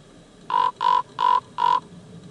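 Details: Common raven calling: four harsh, nasal croaks of even length, evenly spaced about every third of a second, each rich in overtones, over a quiet background.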